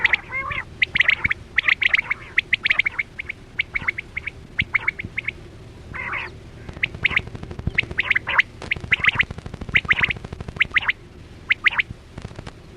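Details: Quail lure sound from Chora batera hunting with a net: dense runs of short, sharp, high double and triple notes, with overlapping callers over a continuous low electrical hum.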